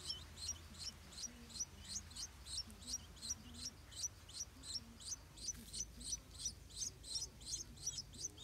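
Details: Stripe-throated bulbul at a nest with hungry hatchlings, parents defending the nest: thin, high chirps in a quick steady series, about three each second, over a faint low hum.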